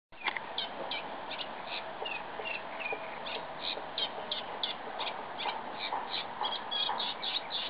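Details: Eurasian reed warbler singing in windy weather: a steady run of short, chattering notes repeated two or three per second, some grating and some clearer, over constant low wind rumble.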